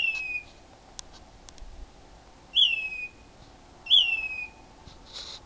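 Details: Unknown bird calling loudly in a mesquite tree at 4am: three clear whistles, each falling from a high start to a flat ending, about one and a half seconds apart, with a few faint ticks.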